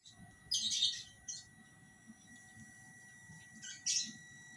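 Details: Lovebirds caged for pairing by placing cages side by side; two harsh, noisy chirp bursts, high-pitched and broadband, about three seconds apart, with a short fainter chirp between, over a steady electrical hum.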